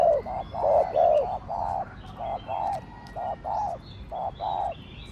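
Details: Fast gù cooing from a spotted dove, a cu gáy of the Thổ Đồng style: close-spaced low, rounded coo notes repeating about twice a second, with soft distant chirps overhead.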